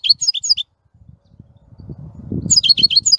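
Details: European goldfinch twittering in quick high chirps, a pause with low rumbling and knocking noises, then the twittered song resumes over the background noise.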